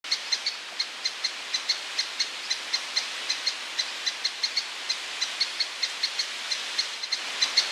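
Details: A lesser spotted woodpecker (Dryobates minor minor) in Soomaa National Park, Estonia, in June gives a long, even run of thin, high 'kee' notes, about four a second, with no other sounds.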